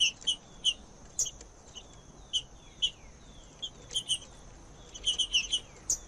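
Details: Green-winged saltator song used to warm up a silent bird: short clear notes and brief phrases, scattered and irregular, with quiet gaps between them, over a steady high background hiss.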